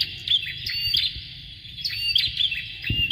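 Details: Bar-winged prinia pair, male and female, sing high, sharp chirping phrases with short upward flicks. Two dense bursts come about one and a half seconds apart. The recording serves as lure song for training contest birds, with a soft thump near the end.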